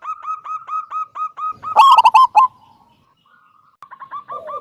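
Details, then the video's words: Local wild zebra dove singing its loud 'kung' style, used to draw other doves into song. A fast, even run of short cooing notes leads into a loud rolling burst, a brief pause, then quick notes resume. "Perkutut lokal gacor suara besar - SUARA KUNG"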